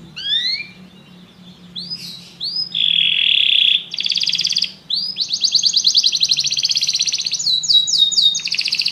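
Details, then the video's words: Several canaries singing together after hearing music: rising whistles, then a buzzy trill, then rolling rattles and rapid pulsed tours that grow denser toward the end. "muitos canários cantam junto depois de ouvir essa música"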